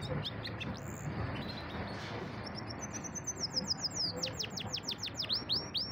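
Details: Caged pet canary singing: quieter scattered notes and a brief whistle first, then a loud run of sharp descending swept notes repeated several times a second, over a low room hum.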